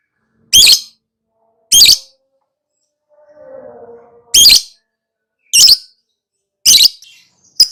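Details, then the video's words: Pet lovebird giving loud shrill chirps spaced about a second apart, with a faint lower warbling sound between them. "KICAU TERAPI BURUNG LOVEBIRD LANGSUNG NGAKAK NGACOR NGEKEK"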